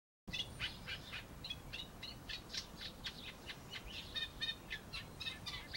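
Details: A Eurasian reed warbler (Acrocephalus scirpaceus) sings from a laurel on 21 May 2018: a steady chattering run of grating notes, about four a second, some repeated two or three times, over low background rumble.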